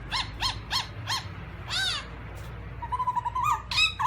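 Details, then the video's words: Black-throated laughingthrush giving four evenly spaced harsh arched calls, a louder rasping note, then a rapid wavering trill and short whistles, with a noisy background. "Black-throated laughingthrush (Garrulax chinensis): Funny Sounds And Funny Dances"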